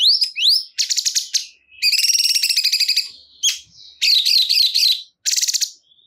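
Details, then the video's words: Cungkok bulbul with upward-sweeping whistled notes followed by a long, fast, buzzy trill and wavering chattering phrases, all high and loud. "Cungkok Kurang Emosi !! Silahkan Putar Dijamin Burung Cungkok Anda Langsung Ikut Gacor"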